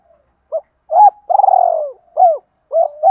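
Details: Decoy spotted dove's calling coo, used to lure and excite wild-caught doves. One mellow phrase: a brief hoot, an arched coo, a long vibrating rolling note sliding down, then two short falling hoots. Quiet background.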